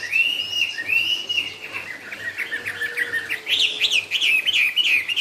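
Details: Chinese hwamei, cao cầu style song: long, level, sustained whistles give way to a rapid, loud string of sharp, jagged chattering notes near the end.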